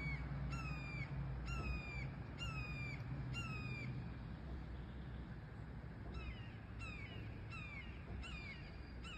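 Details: Young red-tailed hawks at Sugar Beach, Leo, Indiana: a series of harsh, high, downslurred screeches repeated roughly every half second in two bursts, over steady low rumbling background noise.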